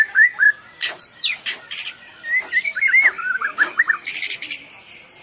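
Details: A white-rumped shama sings in a contest setting, mixing clear whistled slurs, sharp clicks and high squeaky notes in a lively, jumbled sequence.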